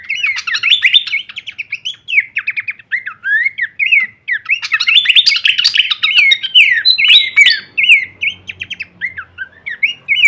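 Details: Masteran track of a Horsfield's babbler in full kleperan variation: nearly unbroken fast chatter of slurred whistled notes, with two denser bursts and rhythmic repeated phrases near the end.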